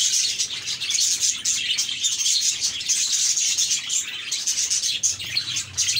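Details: A group of happy budgies chirps nonstop, quick scratchy twitters and short whistled notes in dense overlapping chatter, with a faint low hum in the background.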